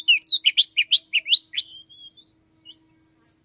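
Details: Caged Oriental magpie-robin singing in the morning indoors, its song including mimicry of another bird's song. A rapid run of sweet, varied whistled notes slurring up and down, trailing into thin rising whistles.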